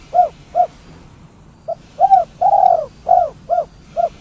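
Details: Spotted dove call, a 'kuk 3' style used as a lure for wild birds: low mellow coos, short hoots alternating with longer arched, throaty notes, about eight notes in four seconds, over faint background hum.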